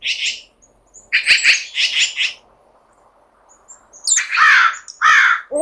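An owl gives harsh, hissing screeches in short bursts: a quick group of three or four, a pause, then two longer, louder rasping shrieks.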